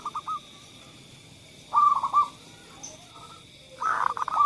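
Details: Zebra dove song, used as a lure for doves that rarely sing: short bursts of soft, rapid staccato cooing notes, separated by pauses, over a steady high electronic-sounding hum.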